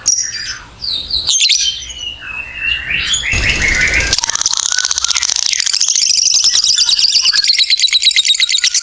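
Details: Caged lovebird giving a long 'ngekek' trill meant to stimulate other lovebirds: scattered sharp chirps and buzzy notes at first, then from about four seconds a fast, even pulsing chatter sustained to the end.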